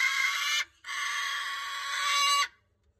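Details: Moluccan cockatoo chick in an aggressive mood gives two harsh, raspy screeches, a short one then a longer sustained one, loud and broad-toned with no other sounds.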